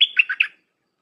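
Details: A single short dok phrase from a caged Red-whiskered bulbul, played to train young birds: a high whistled opening that slides into three quick, bubbly chirps.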